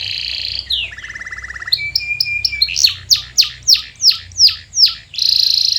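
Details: Canary song used as a lure to make silent canaries sing: a high buzzy opening, a low rolling trill, a steady whistled tone, then a series of sharp descending sweeps about three per second ending in another buzzy trill.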